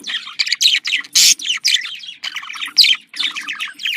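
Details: Budgerigars, female and male pets, giving a breeding-stimulation chatter: continuous rapid warbling of chirps, clicks and buzzy notes with one loud harsh squawk, all high-pitched and barely pausing.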